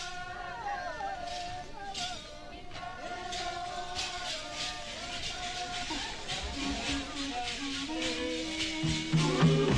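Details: Music with shifting melodic tones and a rattling percussion, voices joining toward the end, with no animal calls heard.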